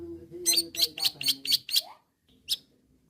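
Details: Six evenly spaced harsh chips, each roughly a third of a second apart, over a low droning tone, then two lone scratchy notes: a long-tailed shrike calling rivals.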